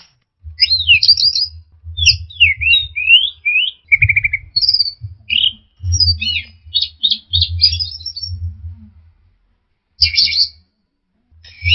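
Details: Orange-headed thrush song aimed at coaxing a stressed, silent bird back into song: rapid, varied looping whistles and chattering notes in a long stream, a short pause, then a final burst, steady low rumble behind.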